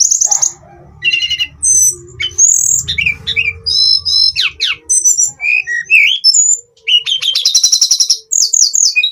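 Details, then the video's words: Hill blue flycatcher, known locally as tledekan gunung, giving a busy, varied song of sharp high whistles, chattering trills and quick slurred notes, barely pausing, over a soft low hum. "Kicauan harian Tledekan gunung"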